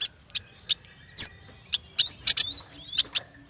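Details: Yuhina, locally prenjak batu, singing for use as a lure: a few spaced single high chips, one loud sharp note, then a quick jumble of thin whistled slurs and chirps.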